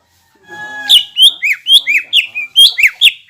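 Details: Greater green leafbird singing loudly to stir up other leafbirds; a quick run of about nine sharp, looping whistled notes, each swooping down then up, after a faint low start.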